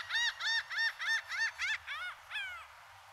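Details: Laughing gull, a common resident of Puerto Rico; a rapid series of about eight nasal, laughing notes, the first six short and evenly spaced, the last ones longer, drawn out and falling in pitch.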